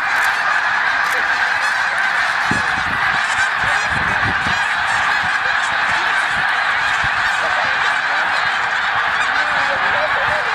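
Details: At Middle Creek, Pennsylvania, a huge migrating flock of snow geese produces a constant din of shrill, nasal honking, individual barks rising above the blended chorus, with brief low thumps early on.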